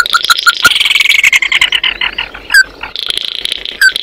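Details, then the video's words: An Oriental white-eye calling its flock sings a fast, high twittering chatter of thin notes. Occasional clear, slurred whistles break through the dense jumble. "Tiếng kêu của chim Tí Hỉ, Chim Mắt Đỏ hót gọi bầy"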